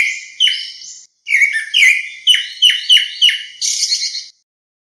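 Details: Whistled calls of a grey-backed thrush gathering its flock: a couple of drawn-out notes, then a rapid series of sharp descending slurs roughly every third of a second, ending on a buzzy higher note.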